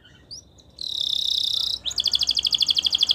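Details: Belgian canary singing for training: a brief faint note, then a sustained high buzzing trill followed by a rapid pulsing rattle.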